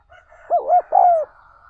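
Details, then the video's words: One mellow spotted dove call, two quick low coos then a longer slurred note sinking at the end, with a faint background tone; used to train decoy birds and provoke wild-caught doves. "60 Phút Tập Chim Cu Gáy Bổi Mỗi Ngày"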